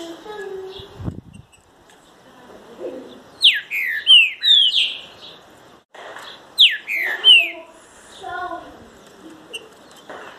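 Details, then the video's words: Green-winged saltator sings loud, rich whistled phrases of a few slurred, falling notes, given twice about three seconds apart, with faint background murmur between. "TRINCA FERRO"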